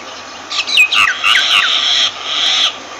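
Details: Myna uttering a short jumble of gurgling, slurred whistles that twist up and down, merging into a drawn-out harsh, rasping note before falling quiet.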